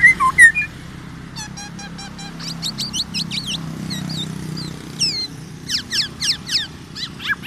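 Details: Tame, singing black-naped oriole with a loud song of mixed short chips, quick sweeping strokes and a few wavy whistles, set against a constant low rumbling background noise.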